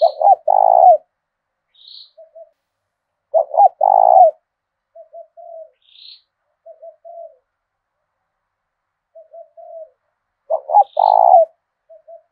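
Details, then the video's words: Decoy spotted dove with thổ đồng voice from southern Vietnam: loud phrases of quick double notes into a long purring coo, repeated every three to seven seconds, soft low coos between and brief high chirps of another bird. "Chim Cu Mồi thúc đấu giọng hay"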